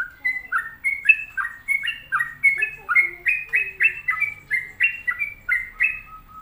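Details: Continuous 'gacor' song of a sooty-headed bulbul: fast, bouncing whistled notes in paired high-low steps, about three per second for over six seconds, with a faint lower warble in the middle.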